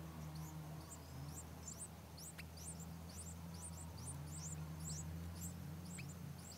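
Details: Yellow-vented bulbul at a nest with 6-day-old chicks, parents bringing food during heavy rain and thunder; very high, thin, sharply rising chirps come in quick uneven bursts, about three per second, over a steady low hum.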